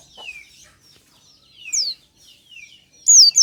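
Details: Oriental white-eye, natural lure song in the morning: a few thin, high whistled notes sliding downward, spaced apart with quiet gaps, ending in a louder bright slurred phrase.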